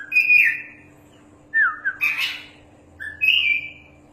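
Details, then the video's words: Caged champion Oriental magpie-robin used as a master singer, giving a few separate whistled phrases, smooth and slurred, with pauses of about a second between them and a faint hum behind. "BURUNG KACER JUARA GACORRR PAS BUAT MASTERAN"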